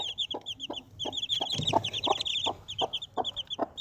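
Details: Desi chicken mother hen with four baby chicks: short low clucks repeat about three times a second, while the chicks keep up a steady stream of thin, high peeping cheeps over the top.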